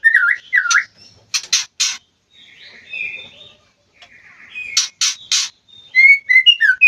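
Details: White-rumped shama in an aviary during mating season: varied whistled phrases mixed with harsh buzzy bursts and scratchy notes, separated by short pauses.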